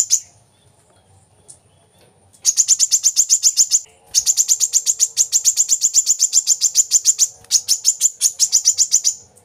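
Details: Kolibri kelapa, brown-throated sunbird, on a master recording for captive birds: after a quiet start, rapid high trilled runs of sharp repeated notes in three long bursts.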